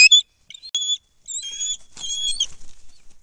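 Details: Bald eagle at its nest over 100 feet up in a loblolly pine near the shore of Kincaid Lake, Kisatchie National Forest, Louisiana, in December: a few brief, piercing, thin whistled notes with short gaps between them.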